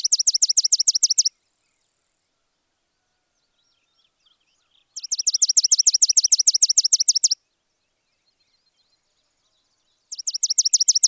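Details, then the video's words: Sparrow chirping in three rapid trilled bursts of high, sharp, falling notes, roughly twelve a second, the middle burst running over two seconds, with brief faint twittering in the pauses. "Wild Animal Sounds: Squirrel Bear Camel Wolf Crow Sparrow"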